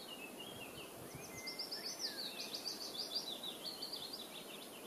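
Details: A white wagtail at the Ahsewiesen meadows, Lippetal, Germany, on 6 June 2015, gives a quick run of sharp, high chirps and twittering notes, growing busier toward the end, over steady outdoor hiss.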